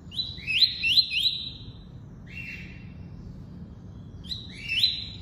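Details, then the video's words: Double-collared seedeater in tuí-tuí style: three quick rising whistles run together, a pause, a lower flat note, then two more rising whistled phrases; quiet background hum. "COLEIRO FLASH ENCARTE (TUÍ-TUÍ)"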